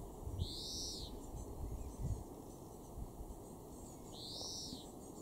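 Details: In a garden in Weener, East Frisia, far northwestern Germany, in June 2024, a European greenfinch gives two long, nasal, buzzy wheezes that rise then fall, about four seconds apart, over low wind rumble and a faint hum.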